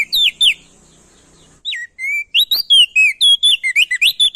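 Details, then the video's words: Lure song of a loud male prenjak daun from Nusa Tenggara, aimed at making crested white-eyes sing: two fast slurred notes, a second-long pause, then a dense burst of ringing whistles, roughly four per second. "Burung Prenjak daun NTB Gacor Atas Bawah Bikin Burung Opior jambul Malas Bunyi Jadi Gacor"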